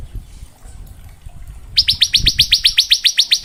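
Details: Bar-winged prinia ngebren-style training song for young birds: after a quiet start with low background rumble, a steady series of sharp, rising chip notes repeated about four times a second.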